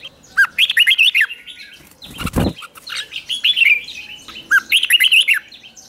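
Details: Red-whiskered bulbul in morning training to sing a fighting song that provokes other birds: near-continuous bubbly, warbling phrases of rising and falling whistles, interrupted once by a brief loud rustling thump.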